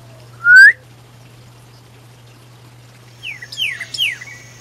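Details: Male Pyrrhuloxia calling to his mate in the desert around Tucson: one loud, clear whistle sliding upward, a pause, then a quick series of high, downward-slurred whistled notes.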